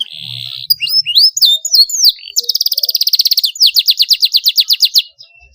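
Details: Continuous canary song with sharp rolls, meant to spur young canaries into singing: scattered slurred chips give way to a long rapid trill, then slower bouncing repeated notes.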